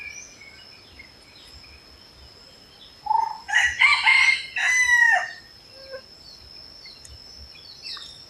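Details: Red junglefowl crowing in natural habitat: a loud, drawn-out crow of about two seconds, rising into strained harsh notes and falling away at the end, over a constant high hiss with faint bird chirps around it.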